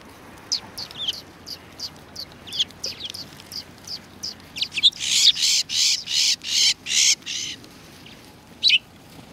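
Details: Sparrows arriving to be fed at a Tenmangu shrine, 7 February 2020: scattered thin chirps, then a run of loud, harsh, broad bursts in quick succession, one more chirp near the end.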